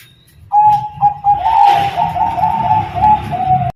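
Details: Bangkok zebra dove holding a long, level, gently pulsing coo for about three seconds, soft and melodious, with some background hiss.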